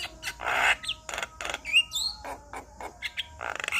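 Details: Male Javan myna singing, a song said to set other Javan mynas singing at once: harsh broadband squawks and rasping bursts alternating with short sharp whistled slurs, delivered in an uneven, chattering rhythm of roughly one note per second.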